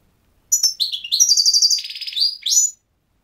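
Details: Goldfinch song: a rapid, liquid, high-pitched twittering phrase of mixed chirps, trills and buzzy notes lasting about two seconds, clear against a quiet background.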